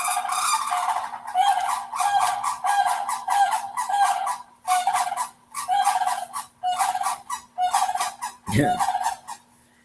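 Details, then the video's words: Three sandhill cranes, about 15 feet outside an open window, give loud, rolling, trumpeting bugles in repeated overlapping bursts over a steady low hum. "you hear that? I'm assuming you heard that. Those are the sandhill cranes."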